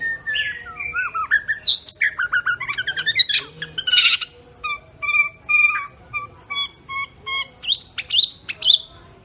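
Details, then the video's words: ["Medan white-rumped shama singing 'cililin' and 'besetan' phrases: varied whistles and fast chatters, then evenly spaced paired notes, closing with high rising whistles."] "Murai medan Tembakan cililin dan besetan"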